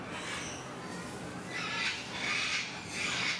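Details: Sulphur-crested cockatoo (Cacatua galerita) giving three harsh, raspy screeches about a second apart over a steady background hiss.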